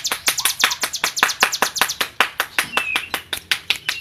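A hill prinia sings vigorously in a fast run of sharp, high, clicking notes, about four each second, with a few thin whistles mixed in.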